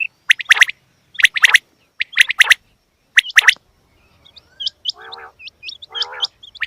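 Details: Female quail calls: bursts of two or three sharp, cracking chirps repeated roughly every second, then thin hooked whistles alongside two nasal, buzzy rasps.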